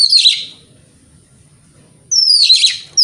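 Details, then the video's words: White-rumped shama singing to provoke rival shamas: a loud, harsh high burst, nearly two seconds of quiet, then a descending clear whistle merging into a scratchy rich phrase. "Pancingan Kacer Ini - Kacer Jenis Apapun Gak Kuat Nahan Emosinya"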